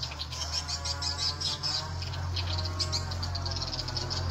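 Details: Edible-nest swiftlets responding to a played lure sound called SP Tripel Queen, used to attract them: dense, rapid high chirps and buzzy twitters run continuously, over a steady low electrical hum.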